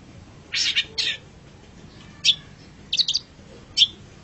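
Long-tailed shrike song: two harsh, scratchy bursts, then three short, bright whistled notes spaced about half a second to a second apart. Faint low background hum.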